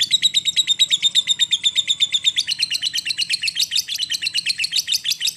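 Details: Lovebird in long 'ngekek' chattering, used as a lure to get a silent lovebird singing: a fast, even train of sharp, high, buzzy notes, about five a second, with no pause for the whole stretch.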